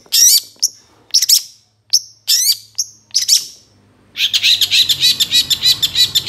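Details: High, sharp bursts of chirps from a long-tailed shrike (cendet) on a master recording for training songbirds, separated by short gaps, then breaking into a fast, unbroken chattering run of notes.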